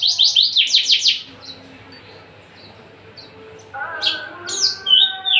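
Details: Caged, tame but feisty Javan bush lark, a male described as ready for breeding and singing freely. A fast run of bright, high chirped notes pulses for about a second, then scattered sharp notes return after a pause over a steady background hum.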